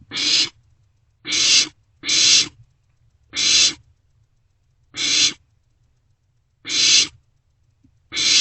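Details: Owlets of the barn owl begging while sharing food in a nest box during the night of 27 March 2024; a series of seven noisy hissing screeches, irregularly spaced, some in quick pairs.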